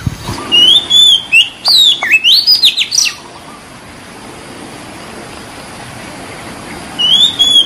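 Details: Oriental magpie-robin with a white breast, singing in the wild: a rapid run of loud varied whistles, rising and falling, for three seconds, a quiet pause, then another short whistled phrase starting.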